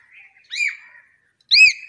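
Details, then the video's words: Two loud ringing arched notes from a talking hill myna, about a second apart, each rising then falling, with a faint thin tone between them. "Amazing Talking Hill Myna | Talented Talking Myna Bird"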